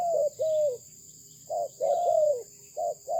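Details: Spotted dove of a Malaysian breed, kept for its good voice: mellow cooing notes, a short coo then a longer arched one, pausing, then a double coo and a final short note, over a steady high electrical whine.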